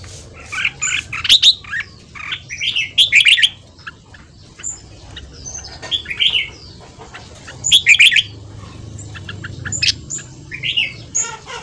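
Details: Fast ché song of a red-whiskered bulbul at morning training, used to stir newly caught birds: repeated bursts of loud chattering, warbled phrases separated by short pauses, with many high whistles from other birds behind.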